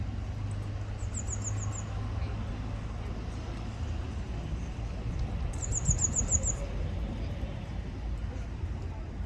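A blue tit gives two very high, thin trills of about six quick notes each, a few seconds apart, over a steady low rumble of traffic.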